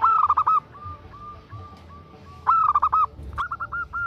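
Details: Female zebra dove calling a male with quick loud clusters of staccato coos, spaced by softer drawn-out single notes, then a final run of short slurred notes.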